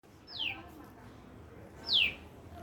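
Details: A bird in a lemon tree gives two sharp downward-sliding chirps about a second and a half apart, high and clean against a quiet background.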